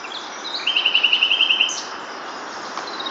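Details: Common nightingale singing in the wild by a river bank in April, breeding season, about five metres away: a quick rattling series of about a dozen identical clipped notes, followed by quieter faint high notes.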